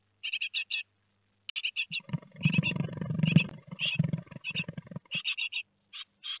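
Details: Great tit nestlings two days before fledging, 15 July 2020, at Théding, giving bursts of high, thin chirps in quick clusters over a low rumbling scuffle of movement inside the nest.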